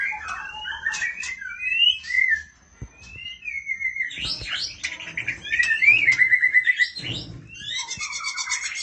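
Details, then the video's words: Female oriental magpie-robin calling to the male: rising and falling whistled slurs and warbled notes, with a short quiet gap near the middle, then a denser run of chattering, rapidly repeated notes and scratchy clicks. "burung murai betina memanggil jantan"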